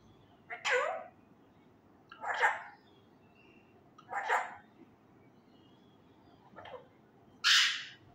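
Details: Pet male Indian ringneck parakeet, still learning to talk, repeating loud Urdu phrases; five short harsh, raspy utterances about one to two seconds apart, the last one higher and shriller.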